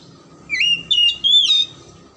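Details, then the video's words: Oriental magpie-robin song used as a lure to get silent or lazy magpie-robins singing: three clear whistled notes in quick succession, the first sliding upward, the last highest, over a faint steady low hum. "PANCINGAN KACER MACET & MALES BUNYI AGAR JADI KACER RAJIN GACOR NGOBRA"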